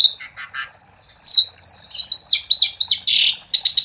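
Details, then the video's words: Asian pied starling song, described as lively, used as a lure to get silent starlings singing: a long clear whistle slurring downward, then a run of short whistled notes, rapid buzzy chatters and harsh bursts. "Suara Jalak Suren Gacor untuk Pancingan"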